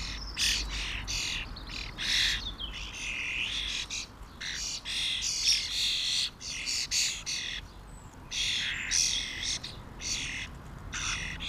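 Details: Common starlings, a small family flock feeding on mealworms: a continuous run of loud grating, screechy squawks from several birds, overlapping bursts rising and falling, with short gaps between.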